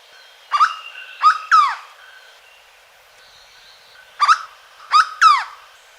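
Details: Corocoxó (Hooded Berryeater) song from Caparaó National Park, Alto Caparaó: two phrases of three loud, nasal, downward-curving notes, the phrases separated by a quiet gap of about two and a half seconds.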